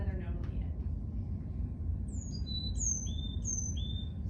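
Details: Normal, stereotypical Carolina chickadee song played back: a string of clear whistled notes stepping between high and lower pitches, with the lower notes slightly drawn out, in the second half. Faint speech comes at the start, and a low hum runs throughout.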